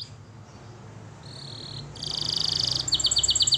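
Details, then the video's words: Canary song for training, heard softly over a faint background hum: a thin high note, a dense buzzy trill, then quick repeated bright chirps. "Canary Singing Birds Sounds at its best Melodies Canary Bird song Training"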